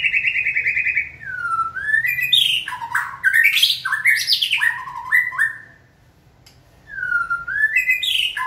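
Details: White-rumped shama in training, stimulated into song: loud, varied whistles and harsh, chattering phrases tumble together, fall silent for a moment, then resume with rising whistled notes.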